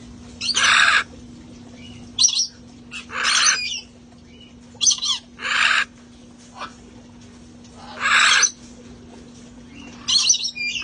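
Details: Sanctuary parrots relaxing outdoors before the cold weather give harsh, raspy squawks, about six short bursts over eleven seconds at an uneven pace, over a steady low hum.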